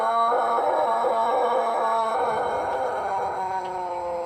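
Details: Crowing of a Pelung rooster from Plered, Purwakarta: a dense, loud, sustained tone rich in overtones, held steadily for over four seconds with a slight wavering and a gentle fade toward the end.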